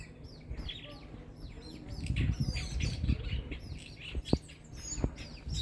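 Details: A young Jacobin cuckoo begs from its foster parents, dark-capped bulbuls, at Lower Sabie camp with a rapid run of thin, high, down-slurred chirps, several each second, over low wind rumble and a few sharp clicks. It calls softly while they are away and screeches loudly when one returns with food.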